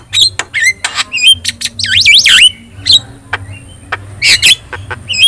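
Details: Actively singing yellow-eyed Javan myna, recorded to train other birds: a busy mix of raspy squawks and clipped whistles, including a wavering looping whistle phrase, over a faint low hum.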